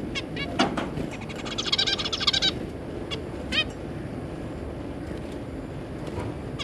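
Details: Zebra finches, a pair with three juveniles, on 3 July 2022. A few scattered nasal beeps frame a short burst of quick, buzzy chatter lasting under a second, over constant low hum.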